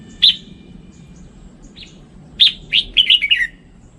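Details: Standard-voiced red-whiskered bulbul: a sharp single note, a short pause, then a lively rising-and-falling whistled phrase ending in quick descending notes, against quiet low background hum.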